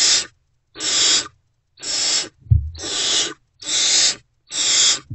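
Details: Young great horned owls, not yet fed, react to an adult arriving at their owl box before dawn, 3 March 2024. Six evenly spaced breathy screeches, each about half a second, sound over five seconds.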